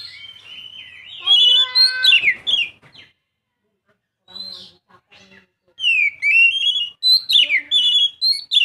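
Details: Young Oriental magpie-robin giving loud, varied whistles and slurred phrases, interrupted by a pause, then a lively burst of rising and falling whistled notes.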